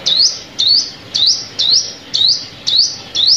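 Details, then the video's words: Sunbird call used as a lure for trapping birds: a high, sharp note that dips then sweeps upward, repeated steadily about twice a second, seven times, clear and dominant over a quiet background. "Tiếng Chim Hút Mật Mồi Kích Bổi"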